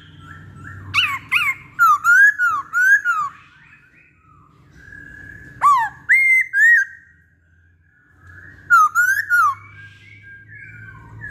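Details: Masked laughingthrush singing in three bursts of rich whistled notes, each opening with a sharp rising slur then wavering, looping phrases, spaced about four seconds apart; a steady low hum underneath.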